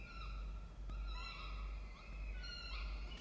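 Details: Peregrine falcon family at a water-tower nest box, Charles Sturt University in Orange, New South Wales, Australia, 16 October 2024, 07:21. Several long, even, harmonic wails with slight upward bends, over a constant low background drone.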